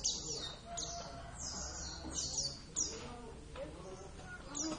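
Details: Oriental white-eye of the Javan race kept by its owner: bright, high-pitched descending whistles in short bursts, with a few quick thin chirps between them, against quiet indoor background hum.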